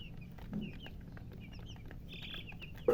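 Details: Freshly hatched chicks calling: scattered short, high peeps, some rising, others falling, with a brief longer trill partway through and a sharp knock at the end.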